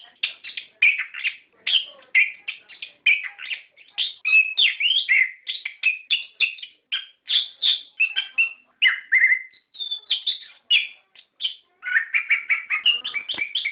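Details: Long stretch of orange-headed thrush lure song used to prompt captive birds to sing: continuous, varied medley of whistles, chirps and short rolls, barely pausing, with a lower-pitched burst of notes near the end.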